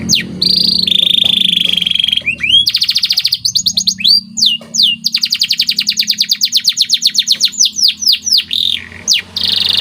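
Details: White canary in training (masteran) song, loud and continuous: steady whistled notes near the start, then long fast trills of rapid repeated chirps, downward-sweeping slurs and buzzy rolls, with a faint low hum underneath.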